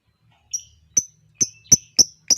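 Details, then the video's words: Lovebird calling in a lure recording used to provoke other lovebirds into long ngekek singing: six sharp, very high chips, each starting with a click, coming faster toward the end. "SEMUA LOVEBIRD NGEKEK PANJANG, dengar suara pancingan ini Lovebird lain ikut Gacor Ngekek panjang"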